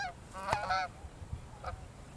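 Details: Geese flying overhead outdoors; one gives two loud nasal honks close together, then a fainter third honk a second later, over quiet background.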